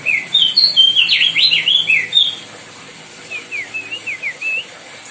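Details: Loud White-bellied bushchat song from the Lesser Sundas, used to train other songbirds: a fast, energetic burst of rich up-and-down whistled phrases for two seconds, then, after a gap, a softer series of short slurred whistles, with a light background hiss.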